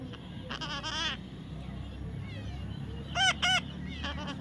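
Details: Young parrot calling: a drawn-out wavering squawk early on, then two sharp, ringing screeches and a fainter call, over steady low background rumble.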